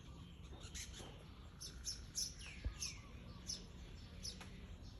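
A weaver gives short, high, thin chirps, repeated about every second, over steady background hiss and a low rumble.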